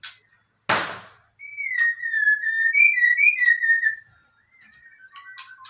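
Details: Fighter-style song of a white-rumped shama: after a sharp knock, a long, sustained whistled phrase wavers gently up and down, then softer scattered whistles and chips follow.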